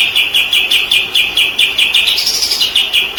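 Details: Murai batu, the white-rumped shama, in a recording used to train other birds. A steady, rapid volley of crisp, high repeated notes, about four a second, with a brief higher-pitched swell near the end.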